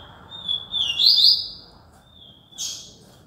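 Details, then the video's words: Yellow-bellied seedeater singing in Alagoas, Brazil: a high, thin whistled phrase that opens on a steady note, swells into a rapid buzzy warble, then fades, with a second short burst near the end over a light background hiss. "papa capim"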